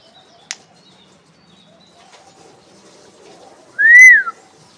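An Alexandrine parakeet gives one loud, ringing call that rises and then falls, lasting about half a second, after a brief sharp tap and quiet background.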